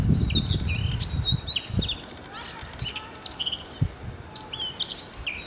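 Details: Song of a Eurasian blackcap from Denmark, a grey bird with a dark cap and a powerful voice suited to dense scrub: rapid varied warbling notes with sharp rising and falling whistles, low thumps early on.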